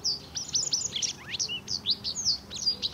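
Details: Recently fledged Japanese wagtail chicks, of a resident breeding population, beg as an adult feeds them: a rapid, overlapping stream of thin, high chirps and short slurred notes, several each second.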